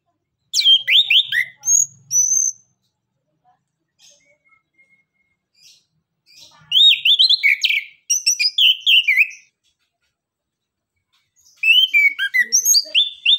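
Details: Orange-headed thrush, or anis kembang, delivering three lively bursts of high, varied whistles and rapid twittering notes separated by quiet pauses, used as a lure to get lazy birds singing.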